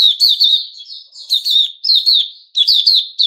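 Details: Sooty-headed bulbul, 10 July 2021, delivering fast runs of slurred, bubbly notes in roughly half-second phrases, each ending in a drawn-out fading tone.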